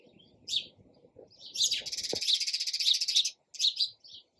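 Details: Sparrow chirping, starting with single chips that run into a fast, buzzy, pulsing chatter lasting over a second, then more separate chirps, with a low knock and rumbling noise early on.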